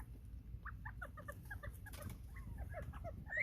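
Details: Captive quail in a coop, very vocal while foraging for bugs, recorded September 15, 2023: short soft chirps and peeps repeated in quick clusters, several birds overlapping, with low rumbling background noise.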